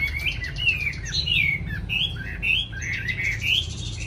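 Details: Caged Chinese hwamei, kept in Hanoi, singing readily: a run of bright whistled phrases that slur up and down, one after another with short gaps, over a steady low hum.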